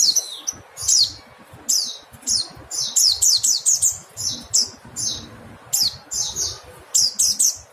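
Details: High, sharp mountain white-eye chirps, some doubled into rapid pairs and triplets, falling in pitch and delivered in irregular clusters; steady low hum underneath.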